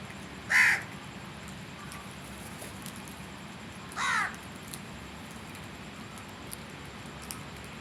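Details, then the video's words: Crow calling with two harsh, nasal caws spaced about three and a half seconds apart over a low, steady background hiss. "Crows Sounds"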